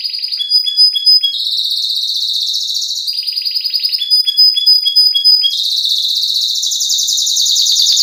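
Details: Canary singing in the cengkok isian style, used as a lure and tutor song to prompt a male: blocks of rapid chattering trills alternate with clean high whistled notes, shifting tour every second or two, bright and continuous.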